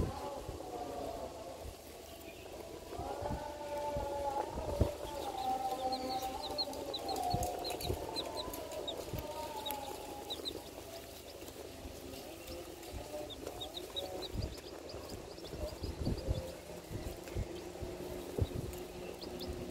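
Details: Six four-day-old bantam chicks on grass peep in thin, high notes, with lower clucking and rustling beneath.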